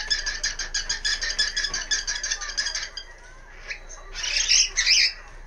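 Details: Household cockatiel's habitual 1 pm outburst: quick rasping "kikiki" pulses about three per second for three seconds, a short lull, then loud drawn-out screeches.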